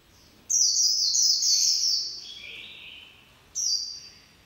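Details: White-eye singing in the líu pha chòe style: a long, rapid, high-pitched twittering warble lasting two seconds, which slides lower near its end, then a short bright burst of notes after a pause; quiet background.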